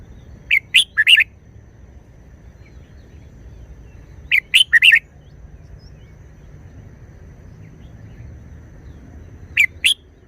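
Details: Red-whiskered bulbul singing short wild-style phrases, keen and frequent: three brief bursts of two to four sharp whistled notes, spaced about four to five seconds apart, with quiet pauses between.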